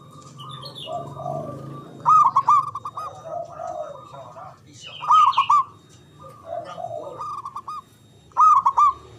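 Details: Loud local Javanese zebra dove used to coax silent or lazy doves into answering: a rolling, stuttered coo phrase returning about every three seconds, with softer lower coos and faint twittering from other birds.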